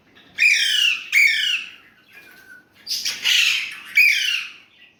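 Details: Indian ringneck parrot kept as a talking pet, with Urdu/Hindi speech mentioned, utters rasping, harmonic-rich squawks in two pairs of loud bursts separated by a softer low note, in a quiet indoor space.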